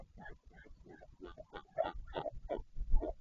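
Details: Northern royal albatross at the nest in a colony at Taiaroa Head near Dunedin, New Zealand, during a parent changeover on 14 February 2019; a rhythmic run of short, nasal, grunting pulses, about three per second, growing louder toward the end.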